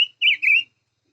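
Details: Five-coloured bird giving a brief clipped whistle, then two linked, wavering whistled notes slurring down and back up, ending in silence.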